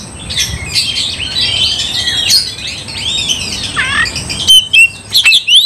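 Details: Oriental magpie-robin singing to provoke a fight: soft scratchy warbling for several seconds, followed by a few loud, sharp whistled notes in quick bursts near the end.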